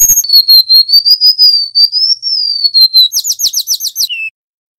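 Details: Loud tutor recording of wild-caught Golden-bellied gerygones, male and female. A sustained whistle wavers gently up and down for three seconds, then a burst of rapid rising chirps, then a brief lower closing note.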